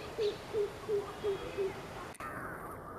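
Greater coucal giving five deep, hollow hoots in an even series, about three per second, before the sound cuts off abruptly.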